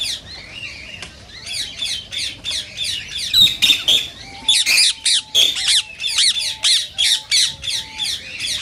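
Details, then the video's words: Rose-ringed parakeets, calls played to stimulate singing and mating; loud harsh squawks repeated rapidly about three times a second in a steady chattering run, with a few short flat whistled notes underneath. "صوت ببغاء الدرة الخضراء"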